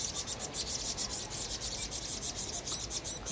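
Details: Vinous-throated parrotbill screaming in distress as a Eurasian jay attacks: rapid, evenly spaced high chips, about four each second, forming an unbroken agitated chatter.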